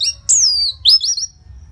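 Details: Orange-headed thrush in loud song used to coax silent caged birds: a bright downward-sweeping whistle followed by a rising slurred whistle and short warbled notes, with faint low hum beneath.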